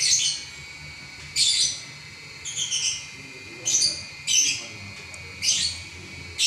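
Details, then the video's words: Lovebird, a contest champion, in nonstop 'ngacor' song: strong, rasping high chirps interspersed with softer twittering notes, irregularly spaced, over a steady faint tone. "Burung LoveBird Juara Nya Ngacor 11 Menit Enggak Berhenti"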